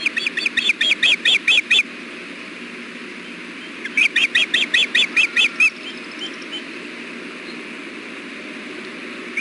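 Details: Hellgate nest-cam ospreys at 4:00 pm on 6.4.16 during a fish delivery, male sharing bites with the female. Two runs of piercing, evenly spaced chirping notes, then quieter hiss and a faint thin call near the end.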